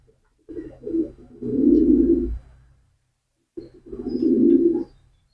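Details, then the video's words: Two clean, low pigeon coos, each starting with soft stuttering notes and swelling into a long throaty purr, with silence between them. "pigeon call and sound effect,কবুতরের ডাক।"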